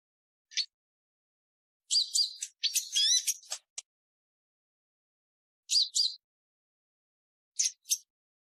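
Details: Purple-throated sunbird calling in short bursts: a single thin chip, then a dense tangle of squeaky, twisting high notes, followed after a pause by paired chirps repeated twice; background silent.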